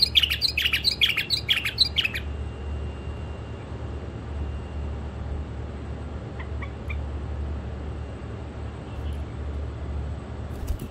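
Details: Tame pet bulbuls, one male and two females, singing sweetly: about two seconds of quick, warbling whistled phrases rising and falling in bursts, followed by quiet with a steady low hum in the background.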